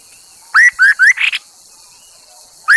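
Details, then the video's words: Chinese hwamei used as a lure bird: a rapid run of four bright, upward-sweeping whistled notes ending in a harsher burred note, then a pause before the next rising whistle begins. "Tiếng chim họa mi đất mồi || Suab noog kaim kauj quaj cuab tuaj"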